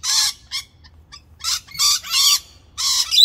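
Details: A rainbow lorikeet, while eating breakfast, gives harsh, grating screeches in short bursts, about six in three seconds, with faint softer chatter between them.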